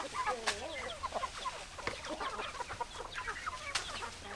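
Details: Chickens clucking together, wavering and bending clucks and short trills layered over one another, with a couple of sharp clicks and a low hum underneath.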